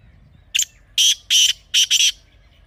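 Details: Partridge call for training partridges: a short sharp introductory note followed by four loud rasping notes in an uneven rhythm.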